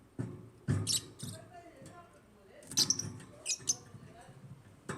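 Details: African lovebirds giving sharp, shrill high chirps in short bursts, spaced irregularly over five seconds, mixed with low thumps and muffled background noise.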